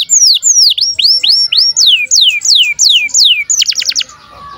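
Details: Canary in breeding condition, birahi chirping used as a tutor for young canaries: a steady series of bright down-slurred whistles, about four per second, closing with a short buzzy trill.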